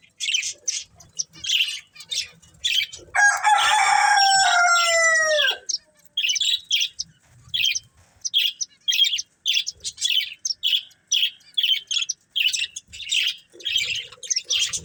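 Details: Breeding pair of pet budgerigars chirping in short, evenly spaced high bursts, roughly two per second, while a rooster crows loudly for about two seconds partway through.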